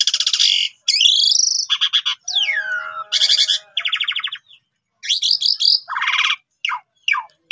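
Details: Energetic Asian pied starling song meant for training quiet starlings: harsh noisy bursts alternate with swooping rising and falling whistles and quick pulsed rattles, separated by short pauses.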